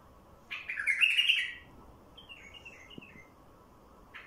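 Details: Song of a wild bulbul played to attract wild bulbuls: one loud, rich chattering warble followed by a softer series of descending slurred notes and a brief note at the end.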